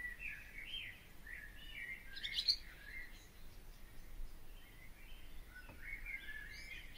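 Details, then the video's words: Barn swallow singing: thin twittering phrases around the upper range, with scattered chirps and a brief buzzy burst midway, fairly faint against steady low background noise. "O canto da ANDORINHA-DAS-CHAMINÉS/BARN SWALLOW SONG (Hirundo rustica)"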